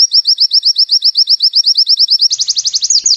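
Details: Pleci (Oriental white-eye) tembakan-style training song: quick, high, down-slurred notes repeated evenly, then a switch to a faster, slightly higher buzzy trill near the end.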